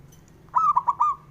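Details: One phrase from a male local Javanese zebra dove, sung to provoke rival males: a rolling coo that breaks into four quick, mellow notes and ends on a slightly longer note, with a faint low hum behind.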